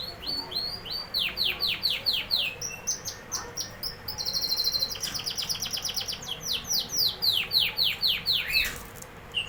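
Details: A canary delivers loud, rhythmic song: series of high notes sweeping steeply downward, repeated about twice a second, switching to a fast buzzy roll and back to sweeping tours.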